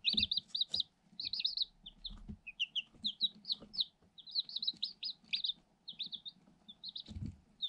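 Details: Eight day-old Light Sussex chicks in a cardboard box, very active and pecking; near-continuous high peeps and rapid trilled chirps, repeated in clusters, with light scratching and occasional pecking knocks.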